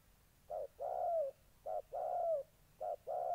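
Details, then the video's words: Moulting decoy spotted dove meeting a fight-eager wild bird, Gia Lai, Vietnam, August 14, 2020. Rhythmic low coos, each a short note and a longer gently descending one, three pairs in quiet surroundings. "Mồi Cườm Cao đang thay lông đụng bổi đồng háu chiến"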